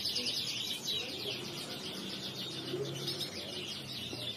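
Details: Male crested canary riwikan song, dense buzzy trills and high chips repeated about three times a second, partly blurred by background hum and low murmuring sounds.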